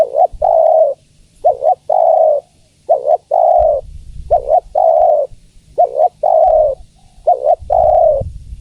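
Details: A female spotted dove calls to a male in a long run of cooing. A quick double note leads each steady drawn-out coo, repeated about every one and a half seconds, with low background rumble in the second half.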